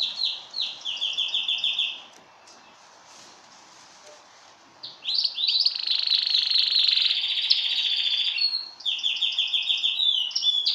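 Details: Male yellow domestic canary kept as a pet, singing: fast rolling trills and rapid repeated high notes, a bright sustained warbling passage in the middle, then more quick pulsed trills after a brief quiet pause.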